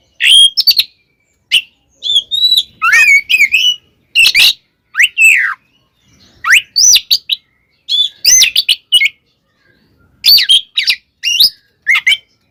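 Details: Oriental magpie-robin in full fighting song meant to provoke rival magpie-robins into anger, loud varied whistled phrases with sharp rising sweeps and harsh buzzy notes in bursts, brief pauses between phrases.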